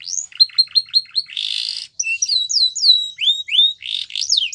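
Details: Training song from a champion canary: short repeated upturned chips, a harsh buzzy burst, then slow looping whistled slurs and another raspy note, in a quiet room.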